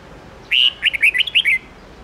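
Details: Red-whiskered bulbul, a mature wild-voiced bird whose 10–13-note song is used to train young birds. A single bright phrase of about a second: a loud whistled opening note, then five or six quick, rising and falling chirpy notes against faint background hiss.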